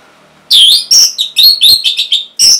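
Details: Orange-headed thrush, a cage bird, singing a loud, dense phrase of about eight high, warbled whistles. Some notes rise and some fall. Intended to coax stalled birds into song.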